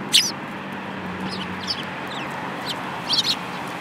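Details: Several sparrows, including a yellow-beaked one, on 5 February 2018; two bursts of bright, high chirps open and close the stretch, with fainter chirps between, over a constant low rumble.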